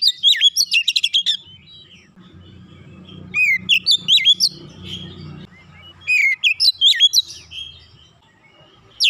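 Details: Oriental magpie-robin in captivity singing short phrases of sweet whistles and quick trilled notes, spaced by pauses with low background rumble between bursts.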